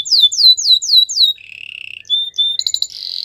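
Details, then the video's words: Belgian singing canary giving five loud downward-swept whistles, then a low buzzy roll, short clear tones and a harsh rattling trill to close. "A special canary to seduce all the canaries - The belgian singing canary"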